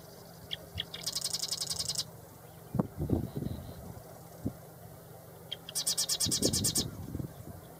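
Two marsh wren songs, each a few ticking notes running into a dry, buzzy rattle lasting about a second. A steady high hum and some low rumbling sit underneath.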